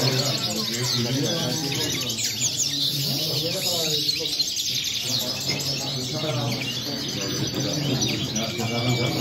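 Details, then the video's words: Goldfinch song of rapid tinkling chirps and brief sliding notes, high and tightly packed, over a constant low hum with some murmuring voices in the background. "Jilguero corona la5"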